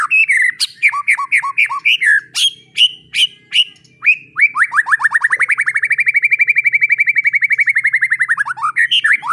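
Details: White-rumped shama song as a tutor for young spotted shamas: paired whistled notes, sharp high strokes, then a long accelerating trill of dozens of rapid identical notes lasting about four seconds.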